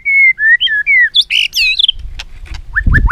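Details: White-rumped shama song used to train other shamas, rich whistled phrases: steady notes near two kilohertz, then rising and falling slurs, bright chattering flourishes, ending with three short upslurred whistles over a low rumble.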